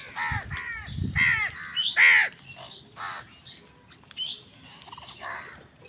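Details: Rapid run of harsh, ragged caws from crows competing with wild birds for food, several overlapping in the first two seconds, then softer scattered calls, with low thuds near the start.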